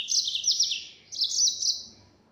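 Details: Burung mozambik, the yellow-fronted canary, delivers two quick phrases of high, buzzy, rapidly warbled trills in the full-speed 'nembak' gacor style.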